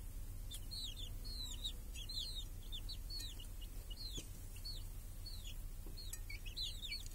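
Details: Village chickens and hen grazing under a cage that shields the chicks from crows and hawks, summer day: rapid, repeated high descending peeps from several chicks, nearly continuous, over low steady hum.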